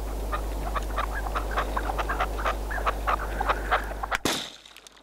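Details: Red-legged partridge kept as a hunting decoy in Spain, giving fast irregular harsh clucking notes for about four seconds before a loud bang cuts through and the sound falls away.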